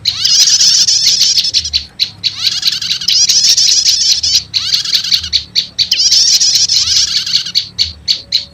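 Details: Dense, high prinia chattering in four long trilled bursts, each followed by a few clipped chips. The lure combines two prenjak call types to quickly call wild prinias.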